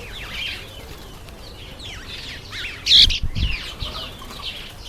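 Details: Masked weavers in breeding season, September and October, giving quick sliding chirps that overlap in busy chatter, with a burst of wing flapping and rustling near the middle.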